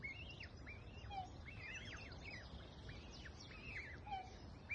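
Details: Black swan cygnets on Hart's Creek give thin, arching peeps that overlap in quick runs, with a couple of lower whistles over a steady low rumble.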